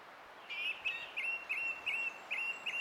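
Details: Song thrush singing on 20 April 2016: short clear whistled notes near one pitch, each phrase repeated in quick succession roughly every third of a second, over a soft steady background hiss.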